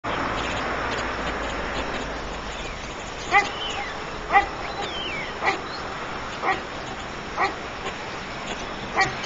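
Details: White stork nest with three chicks. Short, nasal, yelping notes repeat about once a second after a quiet start, and thin whistled phrases from other birds sound in the background.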